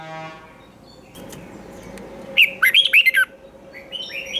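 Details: Training-session song of a red-whiskered bulbul decoy in competition style, long twisted voice: one loud phrase of five or six rolling whistles after a low steady hum and soft clicks.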